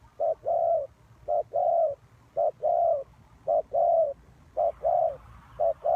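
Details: Ground-lure spotted dove for trapping, calling in evenly spaced pairs: a quick short coo followed by a fuller, longer, gently falling coo, each pair about a second apart, quiet between.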